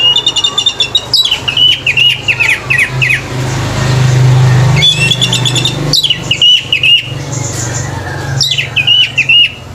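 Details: Male orange-headed thrush at a bird song contest: runs of mid-high whistled, stuttering phrases in short repeated bursts, broken by a passing vehicle's low roar in the middle.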